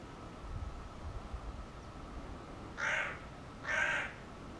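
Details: Hooded crow calling: after a quiet stretch with low rumbling background noise, two hoarse, harsh caws about a second apart.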